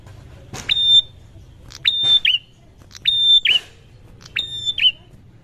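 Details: Prinia calling back to another prinia. Four evenly spaced phrases each pair a sharp click with a sustained high whistle ending in a short downward slur. Soft low noise is behind.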